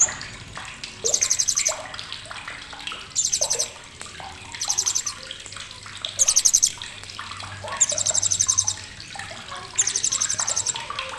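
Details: Repeated sharp chattering of a blue-crowned hanging parrot, recorded to tutor competition songbirds: six dense, shrill, rapid-fire rattling bursts spaced roughly every two seconds, separated by softer clicks and a faint low hum.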